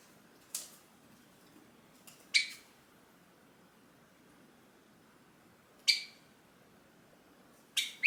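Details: Caged, hand-tame Java sparrow calling to its owner as the owner stands to go: brief, sharp, clicky chirps at irregular gaps of one to three seconds over eight seconds, indoors and otherwise quiet.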